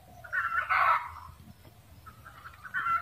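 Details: A red junglefowl cackles: a loud, harsh burst under one second, then a pause and renewed clucking that swells again toward the end.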